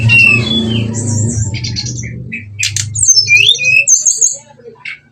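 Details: Brown-chested jungle flycatcher lure song, in the nretet, ngeplong and nembak style, meant to rouse fighting: a low droning background at first, then scattered buzzy bursts and high twisting whistles that fade out at the end.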